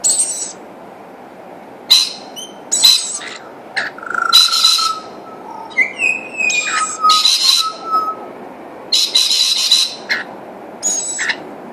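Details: At a feed, a Rainbow lorikeet pair with their new baby mix rasping screeches with thin whistled notes, some sliding downward, in a busy run of overlapping calls.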